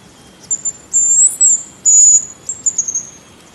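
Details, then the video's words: Hazel grouse giving its whistle, a couple of short thin notes, then two long high piercing whistles, ending in a fast trail of small twittering notes that fall slightly in pitch. "Как свистит рябчик"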